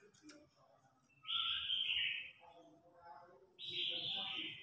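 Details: Red-whiskered bulbul in a singing contest, calling the flock: two sustained, clear whistled phrases over a steady murmur of background noise, with softer lower notes between them.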